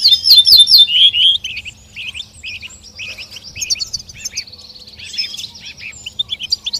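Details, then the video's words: Goldfinch chirping among forest birds: quick, high, tinkling twitters, a bright burst of rapid notes at first, then a looser jumble of chirps, with other small birds possibly calling too. "goldfinch chirping"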